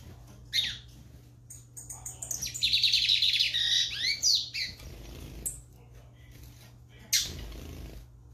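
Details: Lined seedeater singing energetically: a dense, rapid run of high twittering and trilled notes over about two seconds, then a few scattered sharp clicks and knocks, with a low steady hum underneath.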